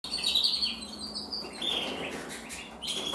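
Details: A male canary hatched in 2024, of the red mosaic agate colour variety, sings high whistled notes that run into short trilled phrases, with an even loudness over faint background hiss.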